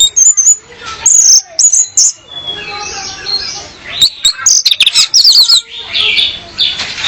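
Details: Training recording of a female orange-headed thrush luring a male: high, thin whistles and chirps in short bursts, with a softer warbling stretch between louder, sharp rapid phrases.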